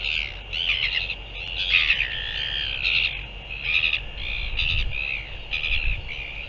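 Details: Northern royal albatross recorded on 15 January 2023: harsh, broadband bursts with clattering pulses, roughly one per second, a few higher wavering tones between them, all above a steady hissing background.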